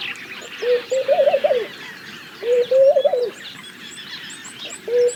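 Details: Laughing dove repeating its gentle chuckling coo, two complete phrases of wavering notes that swell and fall away, and the opening note of a third at the end; distant high chirping.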